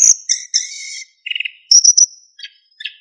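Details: Brief phrase from a kept narcissus flycatcher used to train songbirds: a high whistle, a drawn buzzy note, a short trill and a clear level whistle fading away.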